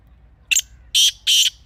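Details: Black francolin (kala teetar), recorded in a natural setting, likely Pakistan, as a hunting call: three harsh, grating notes, one short clipped and two longer rasping phrases in quick succession, over quiet background.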